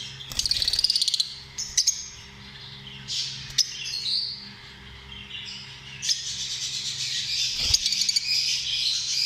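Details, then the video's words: Lovebirds, small social parrots, giving rapid ticking chirps and squeaky, high-pitched chatter that swells into a continuous shrill babble toward the end, with a faint hum beneath. "Amazing sound of love birds"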